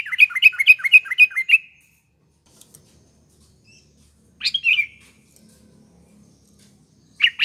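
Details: Sooty-headed bulbul song for use as a lure: a rapid string of about six repeated chirping notes, then a short bubbly whistled phrase and the start of another.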